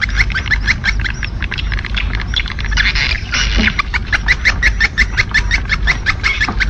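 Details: Edible-nest swiftlet calling sound, an external lure track played to attract swiftlets: dense, rapid chirps and twitters repeated about three times a second, sharp and clicky, over a constant low rumbling hum.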